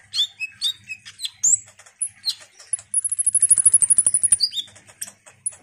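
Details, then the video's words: Ruby-cheeked sunbird in full song to provoke other sunbirds: several descending high squeaky notes, then a long fast trill of about twenty evenly spaced ticks under a thin high whistle, then more slurred chirps. "Pancingan KONIN GACOR INI DIJAMIN bikin KOLIBRI NINJA lain EMOSI Rajin Bunyi"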